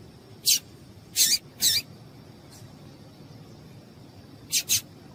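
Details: Female yellow-bellied seedeater piado used to excite males into song: a single chirp, then a close pair, a pause, and another quick pair of high, sharp notes.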